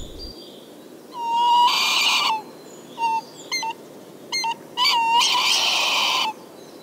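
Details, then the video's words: A tawny owl calls in early spring, around 21 March 2023, in a Moscow forest park, where tawny owls already have chicks: short, clear, mid-pitched whistled notes mixed with two long, harsh, raspy screeches of about a second each, over a quiet background. "Le Tawny Owl, par exemple, émet maintenant des sons particuliers."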